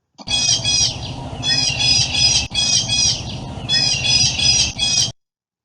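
Blue Jay giving loud, harsh, raspy jeer calls in a rapid series of bursts, strongest in the upper treble, with a low hum underneath.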